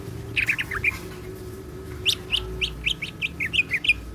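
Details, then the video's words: Greater green leafbird, a kept songbird loaded with cyclone-style mimicry, sings a few quick whistled chirps, pauses, then delivers a steady run of about a dozen bright, evenly spaced notes; low hum underneath. "BURUNG CUCAK IJO GACOR ISIAN SIKLON"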